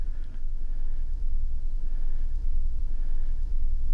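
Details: A steady low rumble like a passing vehicle or engine, with no animal calls.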